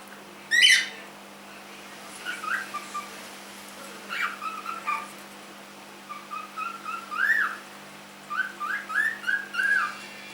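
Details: Three-month-old pet cockatiel giving one loud, harsh, harmonic-rich call, followed by a run of softer short whistled chirps and rising notes spread across ten seconds, in a quiet indoor setting with a steady low hum.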